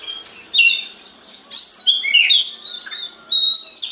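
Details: Oriental magpie-robin singing a lure song meant to stimulate other birds of its kind, with clear high whistles, quick slurred notes and short trills in bursts separated by brief pauses.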